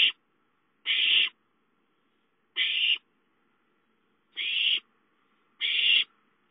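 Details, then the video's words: Owlet calling for food at home, 5-9-13; five coarse, noisy screeches of half a second each, separated by gaps of one to one and a half seconds. "Chicka calls for food"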